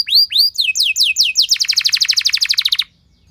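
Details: Long, loud canary song used as a lure to get other canaries singing: a few arching down-slurred whistles speed into a rapid, even trill that stops abruptly, followed by quiet.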